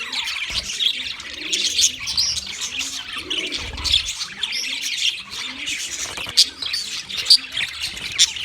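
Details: Flock of wild budgerigars chirping, a steady mass of high, fast twitters and warbles with sharper chirps standing out near the end, over faint low cooing.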